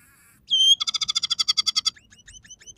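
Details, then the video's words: Scaly-breasted munia in lively gacor song with fill-ins of sparrow, red siskin and canary phrases: a bright whistled note sliding down, then a fast even trill of about twelve sharp chirps, trailing into soft scattered high notes. "suara burung emprit peking gacor dengan tiga variasi lagu"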